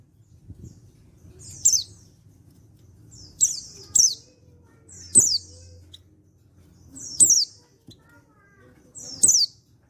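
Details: Untrained male white-eye from Pacitan calling to stir other white-eyes into song. Sharp, very high descending chirps come in pairs and singles about every one to two seconds, with faint low rumble beneath.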